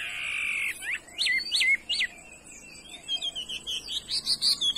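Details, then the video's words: A fine-voiced Chinese hwamei holds a steady buzzy tone, then sings a string of sharp descending whistled notes followed by a rapid series of short high chirps. "mi đảo giọng hay"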